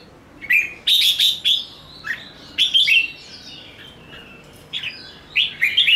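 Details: Caged red-whiskered bulbul giving fighting song: several loud whistled phrases, some steady and some sliding down, separated by short pauses, with sharp clicks and rapid warbles toward the end.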